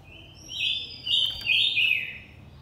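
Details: Blue-winged minla pair, male and female, singing to lure and provoke other birds: three loud, rich warbling phrases in quick succession, each a buzzy, bright trill, with a faint high thin tone above.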